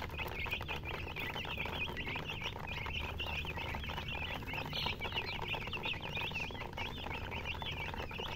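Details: Many chicks chirping together, distinct looping high peeps tumbling one after another, with clicking scratches and a steady low drone in the background.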